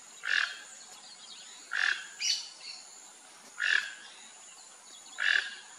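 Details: Rufous-tailed jacamar repeating a sharp, bright call note roughly every 1.5 seconds, four times, with a thinner higher-pitched note slipped in after the second; constant faint hiss behind.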